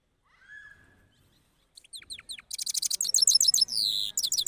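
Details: Cross goldfinch, Parachinar, singing after the moult: a faint soft whistle, then scattered chirps building into a loud, rapid rolling trill with buzzy drawn-out notes.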